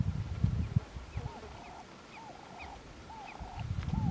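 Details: Stresemann's bushcrow in dry thorn-scrub at Dubuluk, Ethiopia, on 17 January 2015: a series of short, arched mid-pitched notes, each trailing into a brief buzzy rattle, repeated about once a second over low rumbling wind and handling noise.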